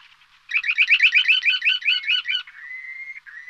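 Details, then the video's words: Bird singing: after a faint start comes a fast run of about a dozen sharp, repeated chirping notes for two seconds, then a thin steady whistle that breaks briefly and resumes. "Kuş Sesi 2"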